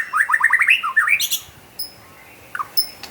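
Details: White-rumped shama (murai batu) singing vigorously, described as gacor: a quick run of short rising whistled notes, then a few high sharp notes and thin whistles with pauses between them.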